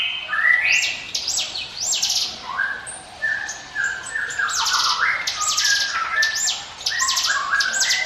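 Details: Prinia song used as a lure for other birds: lively, varied high whistled sweeps interleaved with short mid-pitched notes, continuous and loud throughout.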